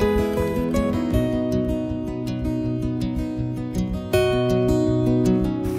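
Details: Steady acoustic guitar music, plucked and strummed in a quick, regular rhythm, with no animal voice anywhere.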